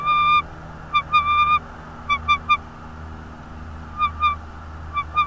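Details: Nesting bald eagle in Northeast Florida, January 2022, 16:40: clipped, high whistled chirps in clusters of two or three, some briefly drawn out, repeating with short gaps over a low steady drone.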